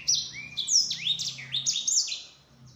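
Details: A Yellow-fronted canary sings a long, rolling song, used as a lure to get other birds to answer: a fast, bright stream of high whistles, sweeping slurs and short trills with hardly a pause, over a faint low hum.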